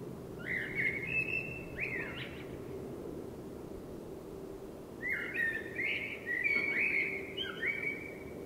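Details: Spring night performance by a common blackbird: two melodious whistled phrases separated by a pause of about three seconds, the second longer with several fluting notes and twittery ends, over steady low noise.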